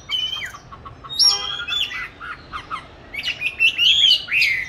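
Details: Oriental magpie-robin kept in a cage since 29 July 2020, recorded 22 March 2021 during song training in an ideal spot; sweet whistles interspersed with harsh squawky notes, ending in a clear rising and falling whistle.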